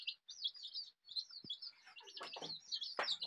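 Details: Many colourful desi chicks, dyed in rainbow shades, peeping in a dense overlapping chorus of high, short, falling cheeps, with some soft rustling and a brief thud among them.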